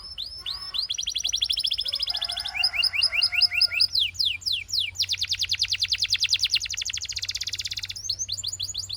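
A Belgian canary sings a fast, varied song of bright rolling trills, rapid repeated chips and sweeping whistles, with long high buzzy rolls and a low steady hum behind.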